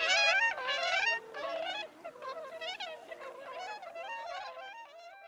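Bewick's swans give a chorus of overlapping, reedy, bugling honks, several birds calling at once in quick, uneven bursts that fade slightly toward the end.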